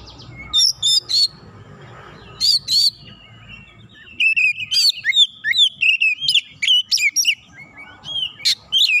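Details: Oriental magpie-robin worked up by a rival, singing its full repertoire: scattered loud chirps early, then a long dense run of bright whistled and looping high notes with short gaps.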